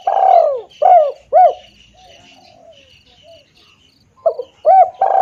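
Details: Spotted dove call for luring birds: a long low coo, then two short rounded coos, a pause, and two more hollow coos, with soft rhythmic insect chirps behind.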